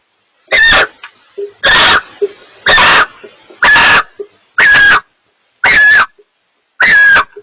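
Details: A pair of barn owls communicating: seven harsh, hissing screeches, each about a third of a second long, given roughly once per second with short silent gaps and faint soft clicks between them.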